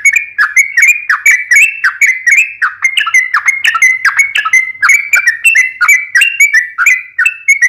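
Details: Continuous fighting-style song of a wild yellow-vented bulbul: rapid, liquid, bubbly phrases repeating without a break, pitch swinging up and down.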